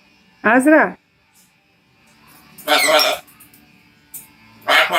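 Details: Macaw talking indoors: a short tonal, rising-then-falling vocalisation with rich harmonics, then after a pause two harsh, noisy, raspy bursts about two seconds apart, in a quiet room.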